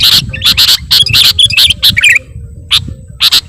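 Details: Sooty-headed bulbul lure sound for bird catchers: loud, harsh-edged chirps in quick pairs and triplets, a brief quieter gap, then two more sharp notes, with low rumble behind.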